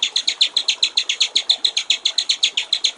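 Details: White-rumped shama in the clear 'gericik air' (water-trickle) style, recorded as a master for training songbirds: continuous high, buzzy notes repeated evenly, roughly two and a half a second.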